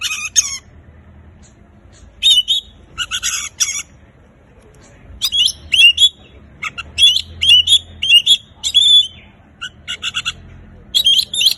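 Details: Oriental magpie-robin, song intended to make mute birds sing: harsh scratchy bursts opening, then a rapid string of clear looping whistles and rasps, phrases spaced by short silences, low background hum.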